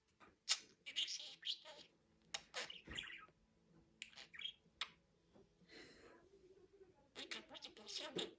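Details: Soft, continuous budgerigar babble of high scratchy syllables, clicks and warbled fragments, rising into denser chatter at the end.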